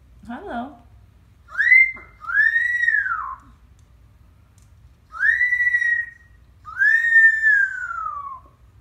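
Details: Pet parrot named Packy gives four drawn-out, arching wails, each rising then falling, much like a baby crying, after a brief lower rough note, in an otherwise quiet room.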